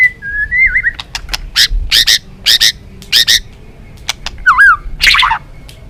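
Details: White-rumped shama of the balak 6 type in a trapping lure: a wavy whistle, then repeated loud buzzy chirps in pairs, a looping slurred note, and a final descending buzzy trill.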